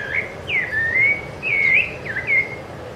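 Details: Rufous-bellied thrush singing on Ilha do Governador in January 2013: clear, rich whistled phrases, each slurred and gently rising or falling, delivered in a steady string with short gaps between notes.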